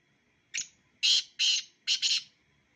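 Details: Two black francolins calling: a short grating note, then two loud harsh rasping bursts and a quick doubled burst, all high and scratchy, in a quiet setting.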